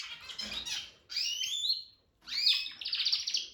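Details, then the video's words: Male Harz canary practising his singing: two bursts of high, sweet warbled phrases with rising and falling slurred notes, broken by a short pause, ending in a fast rolling trill. "Harz canary working on his voice"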